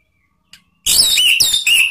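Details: Orange-headed thrush in a lure recording for cage-bird training, ngeriwik style: a faint click, then loud, dense, high warbling with sliding whistled notes that continues to the end.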